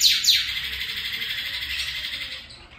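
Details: Northern cardinal singing, said to imitate a canary's song: two quick, high downslurred whistles, then a long, even, buzzy trill that slowly fades away in a quiet indoor setting.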